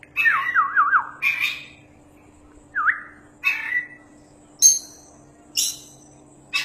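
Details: Champion Oriental magpie-robin singing, used as tutor material for other birds: a wavering up-and-down whistle, scattered short harsh notes, and long pauses between, with a few high sharp bursts; steady faint hum in the background.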